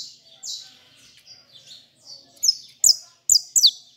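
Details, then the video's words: Saffron finch held by its keeper sings a few soft, level, high notes that build into loud, crisp downslurred notes, some doubled, toward the end. "canário da terra cantando"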